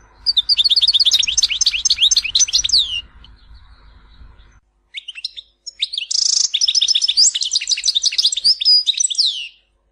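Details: European goldfinch giving the Tizi Ouzou style of Algerian song, used by breeders to tutor fledglings; two long, fast strings of bright twittering, trilled and buzzy notes, separated by a short quiet break with a few scattered chips.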